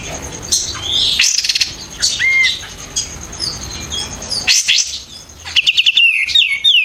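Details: White-eared bulbul song used to train competition birds: scattered piercing whistles, then a fast series of sharp descending notes toward the end, loud and rapid, with background hiss.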